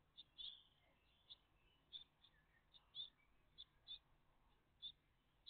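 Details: Morning live view of a great tit family at their nest, 14 June 2023; scattered high, piercing chirps, single or doubled, appearing every half second to a second against a quiet hiss.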